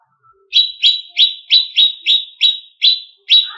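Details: Greater green leafbird song, a training recording used to provoke competition birds: nine sharp, slurred high chips, each dropping quickly, repeated about every third of a second after a quiet start.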